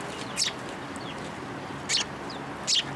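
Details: Sparrows visiting a Tenmangu shrine feeding platform for food, 3 March 2023 afternoon, make three quick, high, downward-slurred chirps about a second apart over a steady background hiss.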